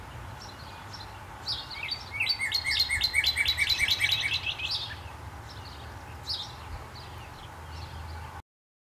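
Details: Cardinal calling outdoors: a rapid, even series of sharp chirping notes that builds from about one and a half seconds, peaks for roughly three seconds, then fades to scattered chips over steady low background rumble.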